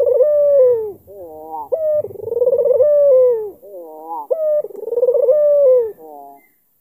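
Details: Black-collared albino Barbary dove in full voice, cooing to lure a rival into answering; repeated vibrating coos that slide downward, separated by quick stacked note bursts, about three cycles.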